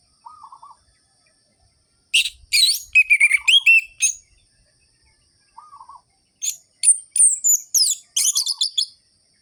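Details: Lively orange-headed thrush song in the sharp, rhythmic ngerol-ngeplong style, a lure for lazy birds of its kind: two long bursts of fast, varied whistles and chirps separated by silence, and soft low mewing notes recurring every couple of seconds.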